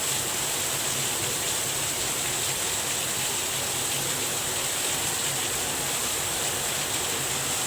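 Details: Steady heavy rain and rushing water fill the recording with dense hiss, and no animal voice stands out.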